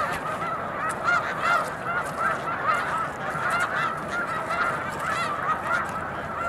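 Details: A huge flock of snow geese at the mucklands near Montezuma, New York, in March 2022, circling and settling down to land, gives a constant overlapping chorus of high, nasal honks and yelps with no pause.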